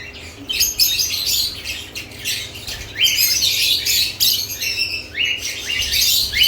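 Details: Lovebirds around nest boxes keep up rapid, irregular chirping: sharp upward-sweeping squeaks mixed with harsh buzzy notes in quick succession, several birds overlapping.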